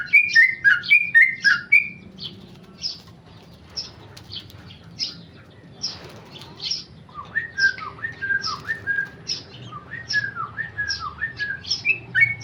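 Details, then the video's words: Tame male sooty-headed bulbul, a kept contest bird, in rapid-fire song: quick whistled phrases at first, a quieter gap with scattered chirps, then a renewed fast run of dipping whistled notes. "Trucuk jinak ropel"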